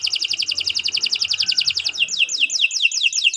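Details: Canary singing a training song for other birds, a quick rolling trill of doubled notes that slows into distinct downward-swooping whistles.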